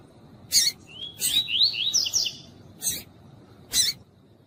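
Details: Female Double-collared seedeater calling to excite a male: sharp, buzzy chips set between them, with a rapid chain of high, slurred whistled notes that rise and fall in the middle.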